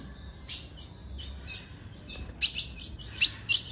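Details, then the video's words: A female ultramarine grosbeak gives short, sharp, high chips at an uneven pace, about six in four seconds, over a faint steady hiss; the call is used to excite a male. "Piado de FÊMEA pra FOGUEAR seu azulão"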